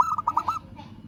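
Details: A local zebra dove calling a rival, caught mid-phrase: a rapid string of about five short, rolling coo notes, then quiet with a low background rumble.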